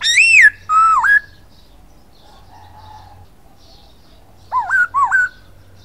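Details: Masked laughingthrush, known locally as poksay hongkong, in energetic gacor song: a loud arched whistle and a slurred lower note, a pause with faint soft notes, then three quick looping whistles.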